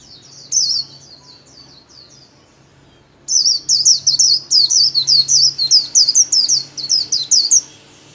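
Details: Solo 'líu' song of a white-eye, used to train kept birds daily: a softer twittering phrase, a pause, then a long, loud run of rapid, high, slurred chirps, about three per second.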